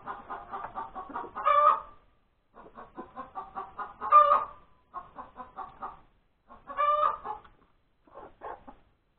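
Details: Hen's post-laying cackle on a Sunday breakfast, 31 January 2021: bursts of rapid clucking, each ending in a loud, drawn-out squawk, repeating roughly every two and a half seconds.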